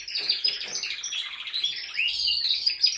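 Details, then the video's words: Male canary song meant to excite a female for mating: a continuous, loud, high warbling stream of fast trills and rolling twittered phrases without pause. "تغريد طائر كناري جبار يحفز الذكر ويهيج الأنثي لتزاوج"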